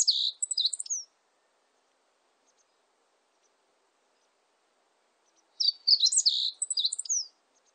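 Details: Meadow bunting song, two bursts of rapid, varied high chirps and twittering notes about a second and a half each, separated by a pause of roughly four seconds, ending in a short down-slurred whistle; otherwise quiet.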